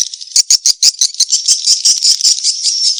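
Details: Lure call of swiftlets chasing to mate: fast, high, rattling twitter notes pulsing several times a second, running together into a continuous buzzy chatter.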